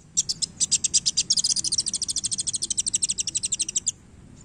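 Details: Sunbird singing loudly during tail display: a long, fast, regular trill of high, bright repeated notes, roughly eight per second, speeding slightly midway before stopping abruptly.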